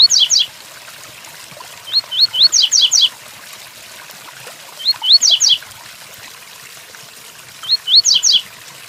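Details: Double-collared seedeater singing the Tui Tuí Fibra song style over rain: two or three rising whistled slurs, then a quick run of descending buzzy notes, each phrase repeated about every three seconds, with steady rain hiss underneath.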